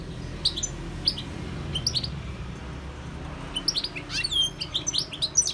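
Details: Wild European goldfinch song: separated high chips open the phrase, then a busier run of twittering, sliding notes and quick trills builds toward the end, all high-pitched and bright.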